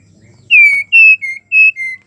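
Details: A female White-rumped Shama in breeding condition calls to males, five clear, flat whistled notes in quick succession, each slightly lower or higher than the last, over about one and a half seconds.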